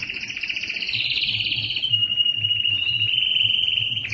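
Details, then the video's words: Singing yellow canary: a rapid rolling trill sliding downward, then a long, steady, thin trill sustained at one pitch before a sharp closing note. "Observing the Enchanting Song of the Canary Yellow" canary yellow singing"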